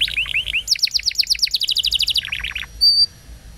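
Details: Short stretch of canary roll song for young birds to learn from: a few rising chips, then a fast, even trill of double notes dropping lower near the end, closed by one pure whistle.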